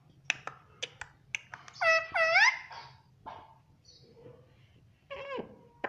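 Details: Indian ringneck parakeet, a pet described as talking and saying mummy and papa; scattered clicks and soft murmurs, two loud wavering harmonic phrases in the middle, and a falling squawk near the end.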